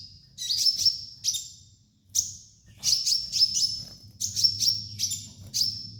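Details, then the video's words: Sunbird master song for training, thin high piercing chips and short trills in clustered bursts, some notes sliding, phrases spaced by brief gaps, with a steady low hum beneath. "MASTERAN KOLIBRI NINJA DAN TERAPI KONIN BAHAN"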